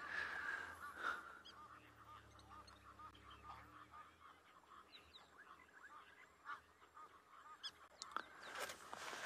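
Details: On a sunset safari on 12 May 2022, Egyptian geese give harsh, repeated honks and hoarse calls in the background, mixed with the metallic clinking notes of a blacksmith lapwing and a man speaking.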